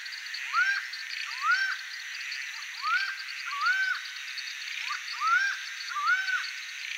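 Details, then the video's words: Laughing falcon, the acauã of Brazilian folklore called a bird of bad omen, giving repeated rising-then-falling nasal notes about once a second over a steady insect-like hiss. "LAUGHING FALCON singing (HERPETOTHERES CACHINNANS), ACAUÃ Song bird of bad omen"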